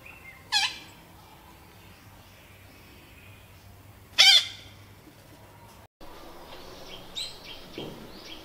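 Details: Red-breasted parakeet at a nest box taken over by a mated pair in northeastern Thailand, giving two abrupt, loud, rasping screeches nearly four seconds apart over quiet background, followed by faint distant calls.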